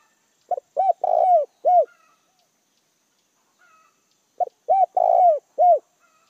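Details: Lure call of a decoy spotted dove meant to bring in wild doves: two soft, deep cooing phrases about four seconds apart. Each has a short note, a coo, a drawn-out rough coo and a final coo, with faint whistles between.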